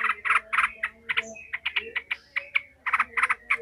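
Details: Yellow-vented bulbul in angry, emotional chattering used to train fighting bulbuls: clustered harsh, clicking notes in quick groups over a noticeable steady background hum.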